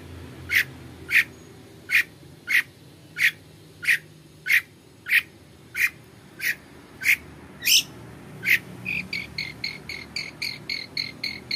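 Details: Long-tailed shrike lure song intended to make another shrike answer: a steady run of loud, sharp notes every half second or so, then a quicker, softer string of shorter, higher, tinny notes.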